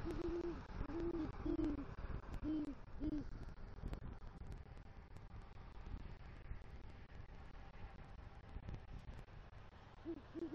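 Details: Great horned owl pair at their southwest Florida nest tree, male arriving with a rodent and calling to the female. A quick burst of about five low hoots comes early, then a long quiet stretch, then one more hoot at the end.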